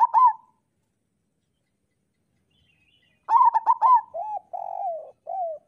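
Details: Zebra dove of local stock singing to prompt doves to sing: a brief clipped phrase, a pause, then a quick staccato run flowing into purring trills and a drawn, bowed coo.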